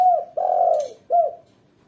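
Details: Captive-style recording of a lively female spotted dove, meant as a lure and training tutor: a long, hoarse, level coo followed by a short clipped coo with a rising-falling hook.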